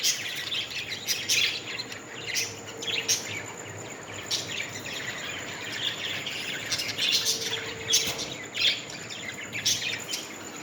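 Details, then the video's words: Parrots calling: repeated sharp, high chirps and short squeaky bursts in loose clusters, several birds overlapping, with a faint steady high hiss and background noise. "Parrots Natural sound"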